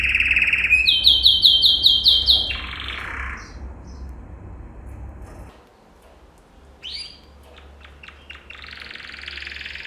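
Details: Singing yellow male canary in a training song: rapid repeated chip notes and a buzzy roll, a quiet pause, then a burst of fast ticking notes running into a bright, sustained trill.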